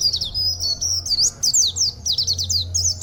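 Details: Local Oriental white-eye kept for song contests, singing an odd, rarely heard style: continuous rapid high twittering in quick sweeping notes, loud and persistent throughout, with faint low hum in the background.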